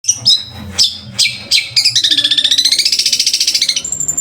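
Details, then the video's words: Long-tailed shrike kept for training other birds, a rich varied song: sharp high notes and chirps, then a fast buzzy trill of rapid repeated notes about thirty times a second, ending on a thin high whistle. "MASTERAN BURUNG CENDET"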